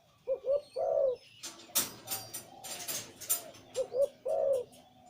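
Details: Zebra dove, Liu Tan breeding male with a big, deep voice, giving two short stuttered notes then a long rolling coo. After a burst of clattering noise, softer coos follow and the same three-part phrase repeats at the end.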